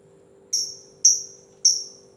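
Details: Three sharp high ticks from a lovebird in 'ngetik' style, spaced about half a second apart, each a bright note fading downward, with a low steady hum in the background.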